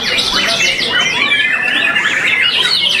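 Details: Captive white-rumped shama, a productive breeding bird from an Indonesian breeding farm, singing at a contest where it placed second; rapid high whistled and warbled phrases sliding up and down, overlapping with other birds singing nearby.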